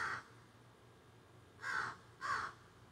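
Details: Crows squawking from trees behind a yard, phone recording outdoors: a clipped caw at the start, a pause, then two loud raspy caws in quick succession.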